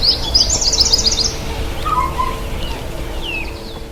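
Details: Bathing white-bellied sunbird gives a fast, high, sparkling trill lasting about a second, followed by a few lower slurred whistles and faint, thin upslurred notes against a quiet background.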